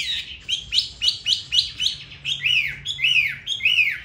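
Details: Hanoi Chinese hwamei with a good voice repeats short bright chirps about four per second, then switches to fuller arched whistles that rise and fall, each phrase evenly spaced.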